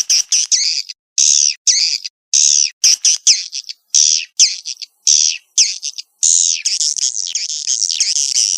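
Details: Swiftlet calls: loud, high chirping notes in bursts separated by short silences, some rising and falling, then a dense continuous twittering near the end.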